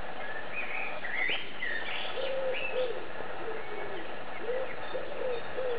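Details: Eurasian blackbird singing while perched on a branch: warbled, fluty phrases with short rising and falling notes, plus lower fluty notes, all under heavy, steady background rumble.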